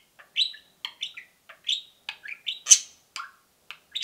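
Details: Peeping from two pet budgerigars: a tight run of short, bright chirps, some bending upward, one loud squeaky peep in the middle, spaced unevenly about every quarter second.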